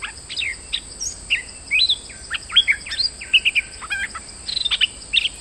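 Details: Moulting streak-eared bulbul recorded as a lure sound, calling lively: short whistled notes bending up and down in tight clusters, with a faint steady high tone underneath.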